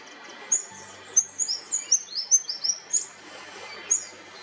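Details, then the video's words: Rufous fantail, also called black-breasted or rufous-fronted fantail, a small orange, black and white bird of the Australian bush, singing: about ten thin, very high squeaky chirps in a quick uneven run, over a soft steady hiss. "Rufous Fantail Call. Bird Song, Sound, Noises"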